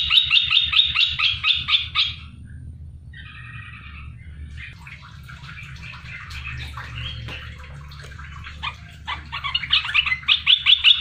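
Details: Loud, sharp lure song of a captive olive-winged bulbul, a red-eyed variety caught from the wild and kept three months. Rapid ringing trills open and close the recording, with a quieter jumble of scratchy notes between.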